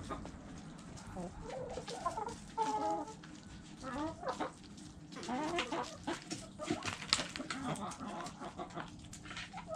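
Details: Chickens eating: a busy stream of pecking clicks and taps, overlaid with low chattering clucks and a few short drawn-out tonal notes, several birds calling together.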